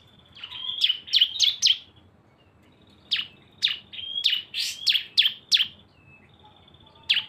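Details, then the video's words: Cisem song combining two birds as a lure: clustered bursts of sharp, high chirps with thin whistled notes between them, a pause, then a longer run of overlapping, downslurred chirps. "CISEM GACOR ‼️ SUARA BREN kombinasi 2 burung"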